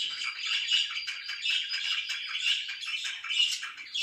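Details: Pet budgerigars chattering in the morning: an unbroken stream of high, rattling twitters and little squeaky notes at an even loudness.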